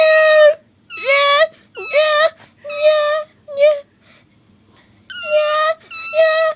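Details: Cockatiel imitating a cat's meow indoors: a string of drawn-out, nasal meow-like calls, each about half a second, with a rising whine on some, about six calls with short pauses between.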